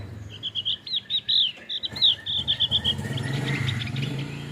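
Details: Singing male Javan grey-throated white-eye, endemic to Java's high mountain forests: a lively chain of bright, high whistled notes, some slurred and looping, fading into softer chatter over a low background hum.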